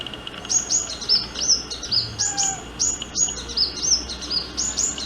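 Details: A sunbird's courtship song: a fast run of high, thin, sharply down-slurred notes, about two or three each second, with a faint background hiss.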